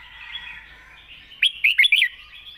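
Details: Red-whiskered bulbul ending a wild-style long phrase with a quick run of four or five loud, bubbly warbled notes, after a stretch of soft background chatter.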